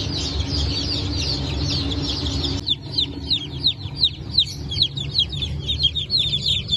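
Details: Newly hatched chicks of the Brahma, Phoenix, Sultan and Appenzeller breeds, hatched 9 May 2024: a crowd of high, downward-slurred peeps overlapping rapidly, growing sharper and more separate after the first few seconds over a steady low hum.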